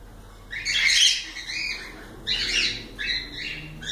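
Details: Loud, scratchy cockatiel squawks in three rough bursts, the first the longest and strongest.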